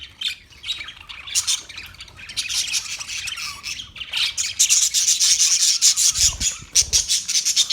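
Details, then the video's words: Parakeet chirping: dense, scratchy high chatter with rapid buzzy notes, building in loudness after four seconds and continuing as a busy stream of warbles and squeaks. "Birds Parakeet Sounds Parrot Chirping Sounds"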